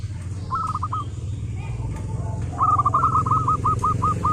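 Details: Local zebra dove cooing used to get other zebra doves singing: a short phrase of hooked notes, then a longer run of about nine evenly spaced coos, over heavy low rumbling noise.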